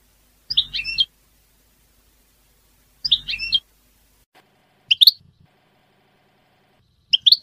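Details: Goldfinch song in short twittering bursts, two matching high chirpy phrases followed by sparser quick notes, over a quiet steady background hum.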